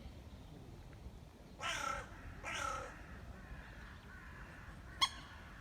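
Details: Grey heron approached closely: two loud, harsh, rasping calls about a second apart, each broad and slightly falling, then fainter rasps and a sharp click, over a low outdoor rumble.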